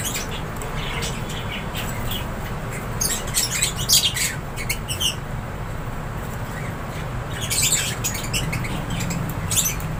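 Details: Lovebirds in an aviary giving scattered sharp high chirps and squawks, in short clusters over a steady low rumble of background noise.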